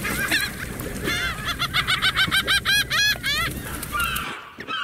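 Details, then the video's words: A seagull gives a rapid series of loud, ringing, arched yelps, about a dozen in quick succession, over constant low rumbling noise that cuts off at the end. "Relax with the sound of the seagulls"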